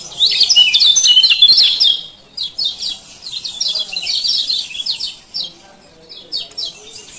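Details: Male lemon-bellied white-eye (kecial kuning Lombok) giving ciak ciak calls, used as a lure to restart silent birds; dense rapid high twittering, scratchy downslurred chirps in a loud burst, then shorter broken chirp runs.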